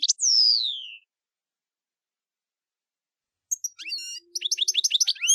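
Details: European goldfinch (jilguero) singing in camper style: a loud descending whistled slur, a long silence, then quick high chips and tinkling twitters in a rapid burst, with a faint low hum.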